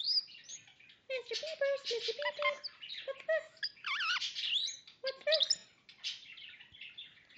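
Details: Pet male Goldie's lorikeet courting its owner's hand, mixing scratchy chatter, clucking notes and wavering, warbled whistles in quick irregular bursts, with a short pause midway.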